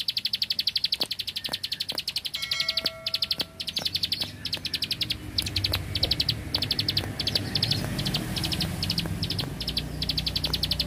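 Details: Rice-field bar-winged prinia sings in rapid 'tembakan bren' bursts of high clicking notes. A few brief tonal whistles appear partway through. A low rumble builds in the later seconds.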